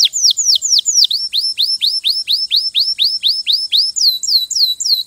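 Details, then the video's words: Canary singing a steady series of sharp downslurred whistled notes repeated about twice a second, then switching to higher hooked notes near the end. "غناء كناري روعة Nyanyian burung kenari itu luar biasa"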